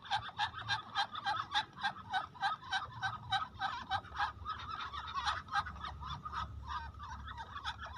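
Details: A crowd of farmed Muscovy ducks swimming in floodwater calls constantly, with short raspy notes overlapping several times a second.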